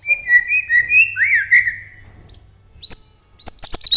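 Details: White-rumped shama, Bahorok type from the Medan area, in full song: clear whistled phrases with rising and falling slurs, then high sharp notes followed by a quick burst of dry clicking chips.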